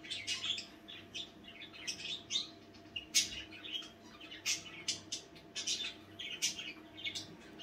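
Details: Several budgerigars talking among themselves at night, a continuous stream of short raspy chirps, clicks and squeaks in irregular bursts, loud sharp notes scattered through nearly eight seconds.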